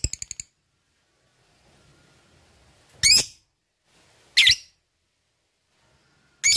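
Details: Lovebird used as training material to encourage a lovebird to call often and to 'ngekek'. It gives three short, harsh, screechy bursts about 1.5 seconds apart after a quick run of faint ticks, with silence between.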